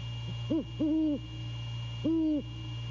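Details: On a late-night visit at 1:24 AM, a male great horned owl gives deep, smooth hoots: a short note, a longer held one, then another long hoot after a pause, with steady background hum.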